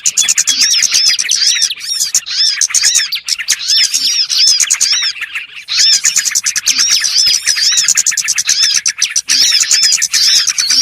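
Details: A crowd of small birds heard in a trapping lure gives continuous high-pitched chatter of rapid chirps and curved whistles, briefly thinning around the middle before resuming.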